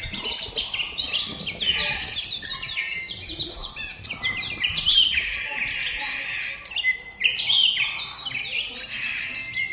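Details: Pet oriental magpie-robin (kacer) in a 'bongkar' full-song test: continuous, rapid, high whistles, sharp chips and varied warbling phrases tumbling over one another with hardly a pause, loud and energetic throughout.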